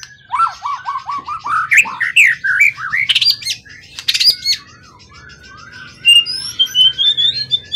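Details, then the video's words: Long-kept competition bird of wild forest origin, tail above 20 cm, singing in top form: a run of descending whistled notes, bursts of sharp clicks, then thin high rising whistles late on, over a faint low hum. "Burung event ori hutan ekor 20cm up lg on banget prestasi burung hutan gk giras ya rawatan lama."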